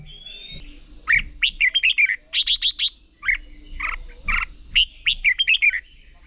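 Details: Red-whiskered bulbul competitive singing: bright whistled warbling phrases, a short run of rapid buzzy notes, then more lively chattering whistles, with a thin constant high tone behind.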